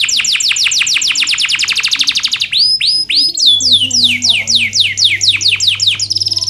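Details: Canary song for training reluctant singers: a rapid rattling run of sharp descending notes, a few clear rising whistles, then steady repeated downslurred chirps roughly four per second; faint low hum.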